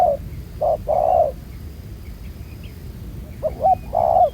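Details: Recorded while trapping with a ground decoy, a wild spotted dove with a black-spotted collar gives two short coos and a longer hollow one, a pause, then the same stuttering phrase again, soft bird chirps behind.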